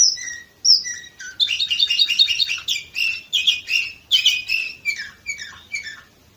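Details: Canary in Varna, Bulgaria, 2018, opening with high clear whistles, then pouring out fast buzzy rolling trills and descending twittered notes.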